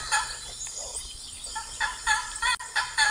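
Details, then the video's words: Blue macaws squawking, an opening harsh call followed by quieter murmurs, then four loud, clipped nasal squawks in fast succession toward the end, faint hiss behind. "Blue Macaws"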